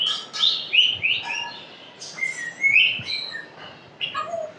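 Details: Talking African grey parrot giving a run of high, clear whistled and chirpy syllables, some rising and some falling, delivered in quick uneven bursts with brief gaps.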